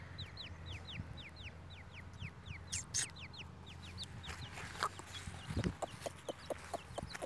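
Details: Grey francolin chicks calling: thin high descending peeps repeated in quick series, over a steady low rumble with some clicks and knocks.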